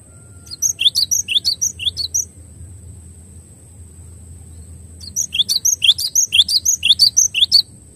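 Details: Cinereous tit (glatik batu) in a clear tutor recording. Two phrases of repeated, ringing high notes, each sliding down, come at about two per second. They are separated by a few seconds of quiet, and the second phrase is longer and denser.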